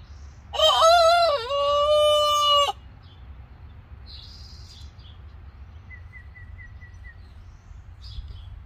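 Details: A young backyard rooster in Oregon practising his wake-up call gives one loud, harmonic crow of about two seconds, rising then held; faint small-bird chirps follow in a quiet background.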